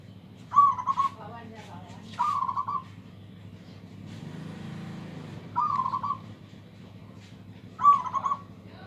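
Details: Big-voiced local zebra dove, whose loud song is said to overpower rivals, repeats rolling, trilled coo phrases four times at uneven gaps, while a low rumbling hum swells in the middle of the recording.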